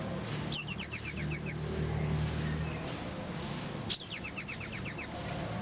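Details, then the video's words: Oriental white-eye tutoring song for cage birds: two fast, very high trills of about eight clipped notes each, separated by a two-second pause, over a low steady background hum. "Masteran Konin_Kolibri Ninja Bahan Agar Cepat Gacor Suara Jernih"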